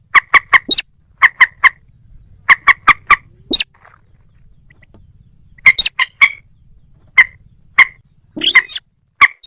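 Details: Moorhen uttering quick triplets of sharp, dry clucks, repeated several times, then scattered single clicks and a drawn-out nasal squeal near the end.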